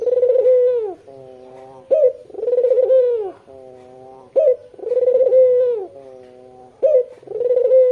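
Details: A white Barbary dove with red eyes, kept as a lure for local doves, gives repeated coos: the end of one phrase and three more, each a clipped opening note, a trembling rolling hum and a quieter sustained tail, about every two and a half seconds.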